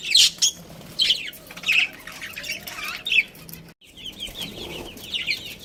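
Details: Budgerigar breeding pair chirping: scattered high, warbling chirps and squeaky notes in short bursts, with brief quiet gaps between phrases and a short silent break near the middle.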